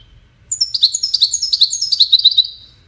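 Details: Cascading goldfinch song for courtship and communication: a flowing two-second run of roughly fifteen high, liquid, twittering notes, each quickly repeated, that eases off at the end on a quiet background.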